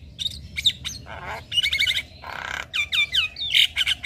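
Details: Javan myna master and provoking song with full fill-ins, meant for training young mynas: bright whistled notes and sharp chirps, two harsh buzzy bursts in the middle, then a run of rising whistles ending in squeaky chatter.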